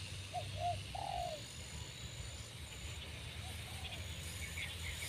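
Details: A new captive spotted dove being trained on a perch alongside an older bird gives soft, low coos: two short notes then a longer slurred one, fainter coos later, over a steady low hum and faint high insect tones.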